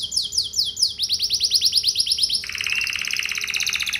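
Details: Canary lure song aimed at making other canaries respond at once: three successive rapid trills, each on a lower, richer pitch than the last, delivered in a continuous rolling stream.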